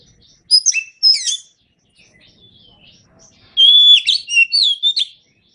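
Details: White-rumped shama singing as training material: two short chattery whistled bursts, a quiet pause with soft notes, then a long loud phrase of clear sustained whistles and rapid warbles.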